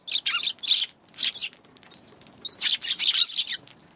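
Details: Eurasian tree sparrow calling on 11 January, a run of harsh, buzzy chirps bunched in quick bursts, then a pause and a second cluster of rapid chirping notes.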